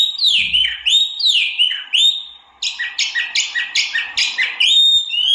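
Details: A white-eye, locally tieu mi or wambi mini, sings sweeping downslurred whistles, then a steady run of about ten rhythmic buzzy double notes, ending in high thin whistles.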